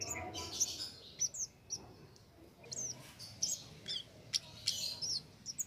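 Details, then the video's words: Wild cit keres in full song, unaided by doping, used as a master for contest songbirds; rapid thin high-pitched chips and flicked notes repeated irregularly, some doubled, over a quiet background. "Cit Keres Nembak Buat Masteran"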